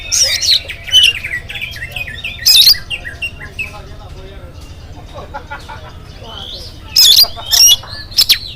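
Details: Oriental magpie-robin in the morning, singing to prompt other birds: loud harsh buzzy bursts and sharp whistles, then a quieter stretch of soft twittering before more loud bursts at the end.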